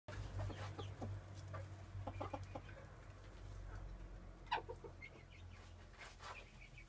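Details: A pair of porcelain-coloured frizzle Pekin bantams, 5.5 months old, give soft, short clucks and a few brief higher notes over a steady low hum.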